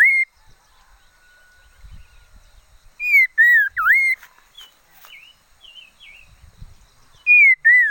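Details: Decoy red-faced liocichla singing loud whistled phrases with a deep swooping dip, separated by quiet stretches holding faint wavering notes and a few low thumps.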